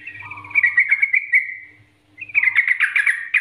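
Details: Short burst of trucukan Nggaruda master song: a trilled whistled run fading out, a pause of about half a second, then renewed rapid chattering notes.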